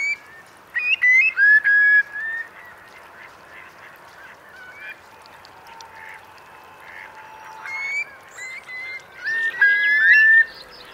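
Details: Eurasian curlews sheltering in Marquenterre's wet meadows at a high-coefficient high tide, Bay of Somme, France, October 2021, around 3,000 birds; clear upslurred whistles early and late, with a murmur of many distant callers between.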